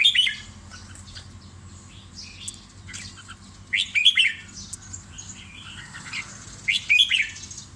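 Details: Caged red-whiskered bulbul kept as a pet, recently switched to a new food; short bright whistled phrases sweeping between mid and high pitch, given in bursts a few seconds apart over a low steady hum.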